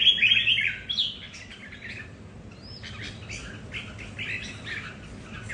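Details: Red-whiskered bulbuls kept at home sing against each other over territory, each bird with its own temperament: bright chirpy warbled phrases with a loud opening burst, then softer scattered notes over a low background hum.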